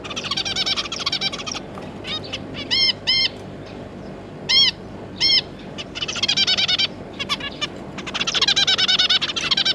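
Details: Zebra finch pair with their three juveniles, recorded 9 June 2022: loud nasal, harmonic-rich calls in dense chattering bursts at the start and end, with spaced single and paired beeps in between.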